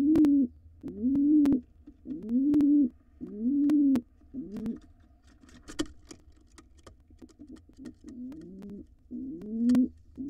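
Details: Wild male pigeon courting the female in a nest box with wing-exercising nestlings: four clear low coos, then a pause filled with rustling and tapping, before softer coos resume.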